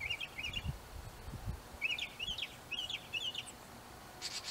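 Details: Northern mockingbird singing in an apple tree, a quiet medley of chattering, clucking chirps in loose groups, ending with a brief high buzzy burst. Faint low knocks in the background.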